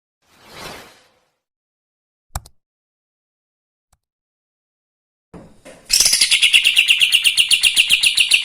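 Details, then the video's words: Lively singing bird used to provoke and excite other birds: after a quiet start with a few knocks, a sudden fast, buzzy series of sharp high notes, about four per second. "Kapas tembak gacor paling bisa bikin EMOSI burung bahan"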